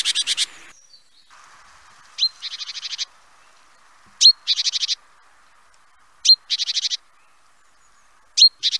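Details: Great tit giving a sharp rising note followed by a harsh buzzy rattle, the pair repeated about every two seconds, with a louder chatter at the start.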